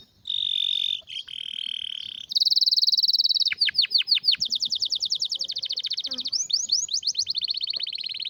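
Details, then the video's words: Rare, strong canary song for training a master bird: a steady low trill, a brighter high rattle, falling swept notes, then an extended rapid trill of rising notes continuing to the end. "Canário com Canto Raro e Forte – Ótimo para Seu Mestre Canário HD - CANARY SOUND MELODY"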